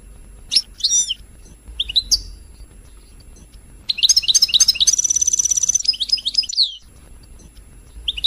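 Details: European goldfinch singing, used to stimulate other birds: a few isolated chirps, then a burst of rapid twittering and an even, buzzy high trill lasting about three seconds, ending in single chirps.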